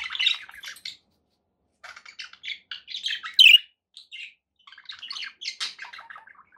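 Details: Kept budgies chirping sparsely: short, bright tweets and clicks scattered across the stretch with silent gaps between, and one louder sharp squeak standing out midway.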